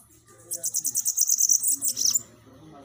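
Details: Bananaquit song meant to rouse captive birds: a fast, high-pitched string of thin, sizzling notes lasting under two seconds, closing with sharper downslurred squeaks, over a faint low hum.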